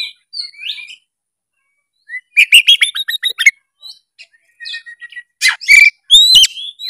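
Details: Gacor full narung singing of an oriental magpie-robin, meant to prompt other birds to sing. Scattered soft notes lead to a rapid stuttering burst, then loud upward-sweeping whistles close the passage.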